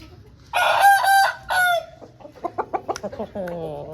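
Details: Home-bred Aseel rooster giving one loud, harsh crow in three strong bursts, the last falling away, followed by a run of short clucks and a lower, drawn-out cackle.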